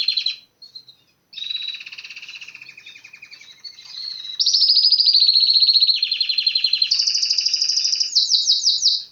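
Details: Canary singing in bursts: a short opening note, a pause, then a softer warbling trill that swells into loud, rapid rolling tours and ends with quick sweeping notes.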